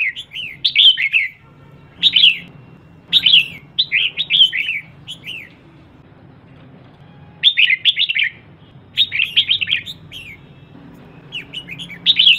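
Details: Female red-whiskered bulbul calling to rouse males: repeated bursts of liquid, downslurred whistles in groups of two to four, separated by quiet gaps of a second or two.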